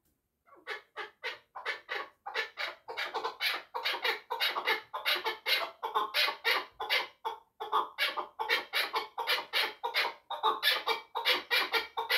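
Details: Chukar partridge in a long, sustained bout of rhythmic clucking, harsh notes repeated in quick succession for over eleven seconds, occasionally doubled, with no other clear sounds.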